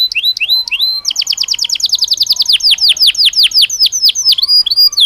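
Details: Belgian canary singing naturally, opening with rising whistles then a dense rapid trill that slows into longer, deeper falling notes and ends in mixed twitters.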